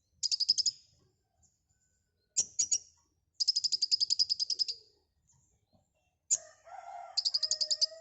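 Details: White-rumped shama, called konin, singing gacor with full isian: short high notes and longer rapid trills of repeated sharp notes, ending with lower warbled phrases mixed under a final trill.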